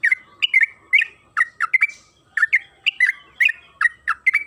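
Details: {'caption': 'Trucukan kebo, the yellow-vented bulbul, in a lure recording to set other birds singing: quick gurgling two- and three-note chirps, bright and slurred, repeated about every half second against a quiet background.'}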